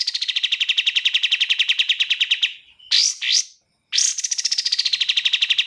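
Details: Fast song of a bar-winged prinia, clean and delivered at tight speed: a long run of quick, even notes tails off. Two loud harsh sweeps follow, then a new burst that begins high and slowly drops in pitch.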